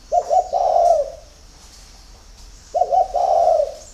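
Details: Spotted dove cooing in the early morning: two low, soft, hollow phrases, each a quick stuttered opening followed by a longer mellow coo, about 2.5 seconds apart.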